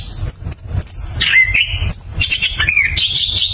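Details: Anis kembang, the orange-headed thrush, giving clear, powerful ngeroll song: a high drawn whistle, then descending warbled slurs and rapid jumbled phrases shifting between high and middle pitch, with faint low rumble behind.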